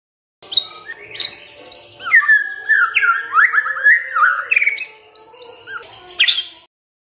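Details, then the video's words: White-rumped shama song used to provoke other birds into singing: a long run of varied whistled phrases, rich and warbling, sliding between mid and high notes with short sharp upper notes mixed in. "MURAI BENGONG LEWATTT❗Pasti NYAUT Dengar Pancingan ini"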